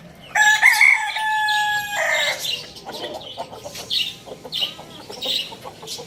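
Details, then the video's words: A rooster crowing loudly lets out one ringing, two-second cock-a-doodle-doo with a falling tail. Busy chirping and clucking from other birds follow. "cute rooster crowing sound effect"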